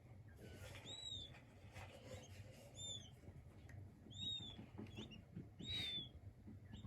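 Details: King quail chicks utter short, thin arched peeps at scattered intervals, fairly quiet against a steady low hum and some faint rustling clicks.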